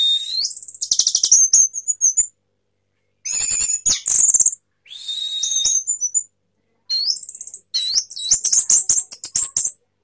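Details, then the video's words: Caged orange-headed thrush singing sapu jagat style while spreading its tail: bursts of shrill, very high whistles, sweeping slurs and fast trilled chatter, separated by brief silences. "anis merah sapu jagat, buka ekor"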